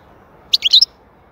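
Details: European goldfinch, called saka in Turkish, giving a brief bright twittering burst of about four quick high chirps within half a second, clean and loud against a quiet background.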